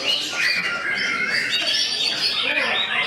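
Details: White-rumped shama (murai batu), a caged songbird, delivering a loud unbroken stream of varied whistles, sweeping slurs and rapid trills, with busy overlapping bird sounds in the background.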